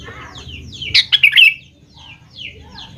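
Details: Sooty-headed bulbul song used to coax young birds into answering: a loud cluster of bubbling whistled notes, then softer descending chirps, over a low rumbling background.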